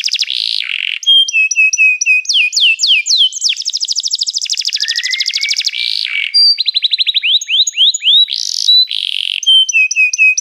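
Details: Canary song built from fast high trills, sweeping downward slurs and buzzy rolled phrases, changing tour every second or so, with a brief lower whistle near the middle.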